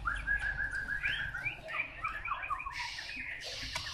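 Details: Chinese hwamei song, a fast run of clear whistled notes rising and falling in quick succession, some swooping upward, ending in brighter scratchy bursts.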